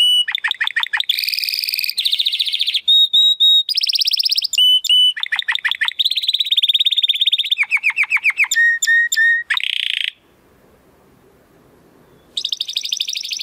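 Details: Timbrado Español canary training song from a 2020-bred male of rated parents: alternating fast trills, pure held whistles and descending slurred runs, ending in two seconds of near silence before a trill resumes.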